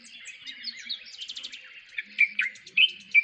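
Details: Dark-capped Bulbul (Pycnonotus tricolor) in Kruger National Park gives a busy run of chirpy, chattering notes, then a few louder, clearer whistled phrases near the end, with faint background birds.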